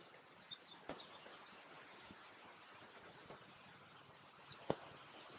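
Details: A few Cedar Waxwings at Léon Provancher marsh giving their soft song: very high, thin, drawn-out lisping whistles, several in series and a pair near the end, over a quiet background with a few sharp clicks.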